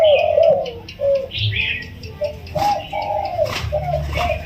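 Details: Spotted dove, a wild bird kept in a cage for 16 days, giving a soft single-kuk throw crow: low, smooth coos in uneven groups, with brief higher chirps from other birds and some background rumble.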